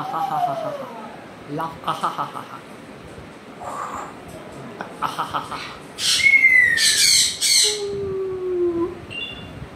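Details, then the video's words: Pet African grey parrot indoors produces a run of varied sounds: a falling whistle, rapid chattering pulses, then a burst of loud harsh squawks and long gliding whistles that descend. "my african gray parrot sounds making"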